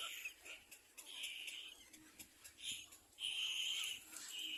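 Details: Young little black cormorants competing to be fed, making short hissy squeals that build into a long, steady, high-pitched wheeze during the final second and a half.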